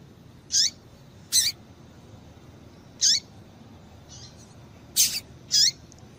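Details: Female rusty-collared seedeater calling, used to stimulate males to sing: short, sharp high chips with a falling tail, given singly and in pairs at irregular intervals over a low steady hiss.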